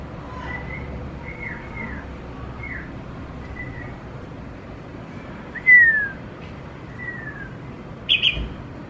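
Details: Red-whiskered bulbul, tamed for a week and unafraid of people, gives a run of soft slurred whistles, then a louder downward-swept note and a sharp high chirp, against a low background hum.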